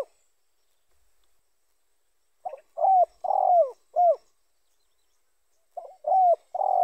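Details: Spotted dove call, used to lure other spotted doves during trapping: a short soft note, then three mellow low coos, the last sliding downward, followed after a pause by a second similar phrase. Quiet background.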